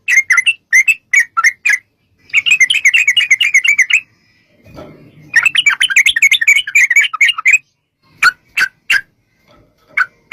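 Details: Yellow-vented bulbul lure recording in long 'ropel' style: separate chirps, then two fast chattering runs split by a short gap with faint rustle, ending in a few spaced sharp notes.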